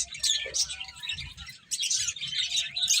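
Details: Several finches chirping during feeding, short bursts of sharp high tweets with a brief lull midway before the twittering chorus returns louder.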